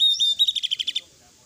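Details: Sooty-headed bulbul singing at night in full-fill 'gacor' style: a high level whistle, then a rapid string of about eight sharp chattering notes, ending abruptly with faint background hiss.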